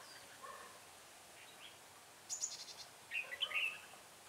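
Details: Red-whiskered bulbul singing as a trapping decoy, 6 December 2016: a single quick warbled phrase of rising and falling chirps near the end, preceded by a thin high twittering burst from another bird.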